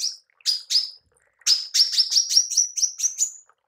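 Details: Female manggar, kept to train songbirds, gives three spaced high chirps, then a quickening series of sharp notes that creep slightly upward in pitch.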